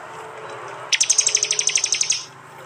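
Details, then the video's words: Loud 'tembakan' burst of a prinia recorded by phone in East Java: a fast run of about fifteen high, clipped notes at an even pace, then a brief fade into a soft background hum. "Tembakan prenjak jali keras"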